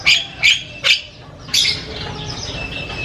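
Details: ['Javan myna giving a few loud, harsh, rasping notes at roughly half-second intervals, followed by a quieter drawn-out squeaky phrase during its varied chattering song.']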